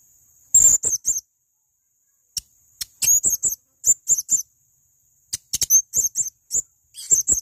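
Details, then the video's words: Tutor recording of a male blue-crowned hanging parrot giving irregular clusters of thin, very high chirps and sharp squeaks across several seconds, separated by brief silences and a few isolated ticks. "Masteran Burung Serindit Jantan Untuk Gacoran"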